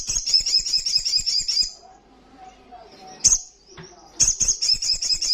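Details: Rapid, buzzy high trill of an olive-backed sunbird singing ngalas style. It breaks into a pause with faint low tones, gives one sharp note, then returns to the fast trill.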